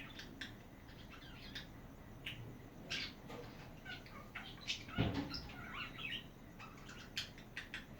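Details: Chatting pet budgies: a steady scatter of quick high chirps and twittering notes throughout, with a soft thump midway, heard indoors.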